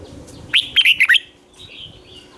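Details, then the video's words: Red-whiskered bulbul singing as a lure for wild birds, one short phrase of four quick looping whistled notes sliding down and up, followed by a faint trailing note. "Chào mào mồi gọi bổi không tạp âm, tiếng chào mào mồi"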